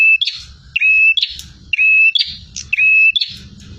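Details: Bar-winged prinia in aggressive full song, four rapid phrases of a thin level whistle followed by a rasping buzz, repeated at about one-second intervals against a low rumbling background.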